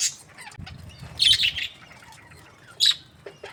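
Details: Budgerigars kept in breeding pairs and called happy give loud bursts of grating chirps and squawks, two strong outbursts standing out above softer background twittering.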